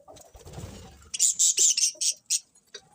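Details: Morning chirping: after a low rustling start, a run of loud, very high piercing chirps about five times in quick succession, then a softer call.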